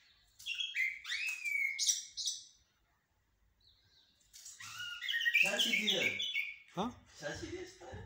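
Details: Common blackbird, locally called jahmoumia, singing in blacksmith and military song styles: bursts of clear whistled and warbled phrases, a brief silence, then a denser warbling run with a man talking underneath.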